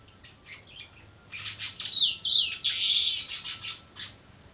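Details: Young baya weaver learning its song: a jumbled burst of high scratchy chirps and buzzy, chattering notes swelling into a dense rasping trill, then trailing off into a few sharp ticks, with a faint steady electrical hum underneath.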